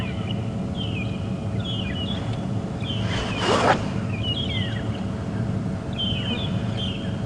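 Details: Magpie shrikes in the bush on a morning safari drive on August 18, 2015 give short, clear whistled phrases in repeated bursts that drown out mongoose contact calls, over a vehicle engine rumble and one bumping crash.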